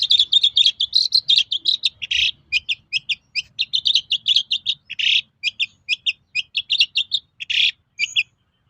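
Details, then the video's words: Vigorous long-tailed shrike song serving as a lure to make other shrikes reply: a steady stream of short, high, chattering and twittering notes, several per second, with occasional harsher rasps, in a quiet setting. "SUARA BURUNG PENTET GACOR AMPUH UNTUK PANCINGAN CENDET LAIN AGAR NYAUT"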